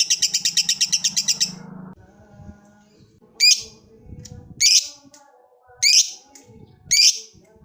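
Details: Lovebird calling a rival with a long ngekek trill: a fast high chatter ending after about two seconds, then a pause and four sharp, harsh squeaky calls spaced a little over a second apart.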